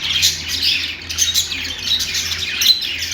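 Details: Budgies warbling in a continuous, scratchy twitter with short clear whistled notes scattered through and a faint low background hum.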